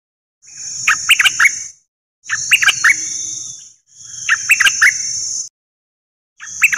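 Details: Dok Taeng bird song used to coach young birds and make them lively: short phrases of four or five sharp chirps, repeated every two seconds or so, each with a steady high whine.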